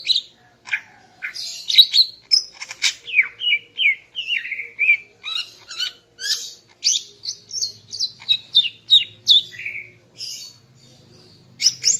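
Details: Greater green leafbird, a female singing in the morning to arouse the male: a long, lively stream of varied whistles, slurred downward notes and sharp chirps, almost continuous for ten seconds before a short pause.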